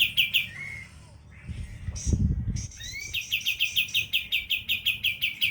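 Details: Sooty-headed bulbul in a 'tembakan', a burst-style singing phrase: quick repeated chirps, a pause with a low thump and a short whistle, then a fast regular chatter of sharp notes resuming to the end.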